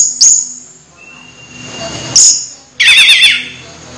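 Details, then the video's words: Orange-headed thrush close to moulting, still singing often. Two brief, very high chirps are followed by a short burst of rapid warbled, slurred whistles, with soft background hiss. "Anis merah hampir mabung masih gacor"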